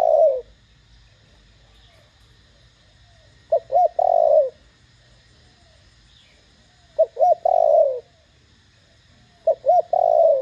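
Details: Spotted dove calling loudly in the 'thổ đồng' style to provoke newly caught doves to call back: the tail of one phrase, then three repeated phrases of quick double notes and long, falling coos, spaced about three seconds apart.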